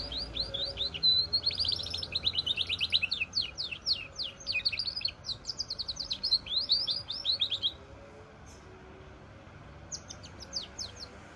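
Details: A goldfinch and canary hybrid delivers a long, rapid, high-pitched twittering song of sharp chirps and trills. It pauses near the end, then adds a brief final flourish against faint background hiss.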